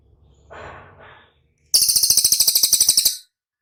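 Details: Cililin song played to prompt caged birds to respond: a short low rushing noise, a pause, then a fast, very high, buzzy trill of about sixteen pulses over one and a half seconds.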